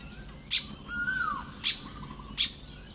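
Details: Baya weaver at its nest in the morning in Lopburi, Thailand, 1 May 2026. Three bright, high chirps spaced about a second apart, with a smooth, arched whistle after the first.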